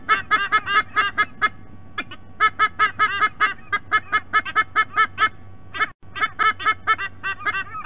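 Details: Adult white-bellied sea eagles vocalizing at their nest, Sydney Olympic Park, Australia, on a nest cam: rapid goose-like honks in bursts, a short pause near two seconds and a brief dropout near six, over a constant low hum.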